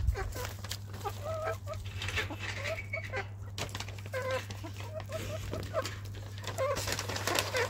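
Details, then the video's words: Hens and a rooster in their coop playing, eating and clucking; busy, repeated short clucks and murmured notes from several birds, with rustling feathers and pecking beneath a constant low hum. "Hen and Rooster Sounds"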